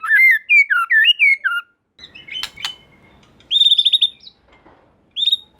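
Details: White-rumped shama song for provoking other shamas. A flowing sequence of looping whistles is followed by clicks. A fast high buzzy trill follows, then one final short high phrase.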